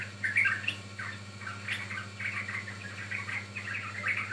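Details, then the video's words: Sooty-headed bulbul used as lure audio for catching or training birds, giving scattered bubbly whistled phrases with brief gaps between them, over a constant low hum. "Pancingan Ampuh Burung Trucukan"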